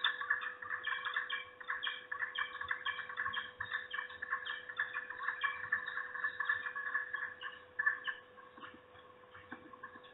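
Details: Peregrine falcons at a nest during an intruder's visit, with the female apparently doubting the male can guard it: harsh, rasping calls repeated in quick bursts throughout, over a steady low electrical hum.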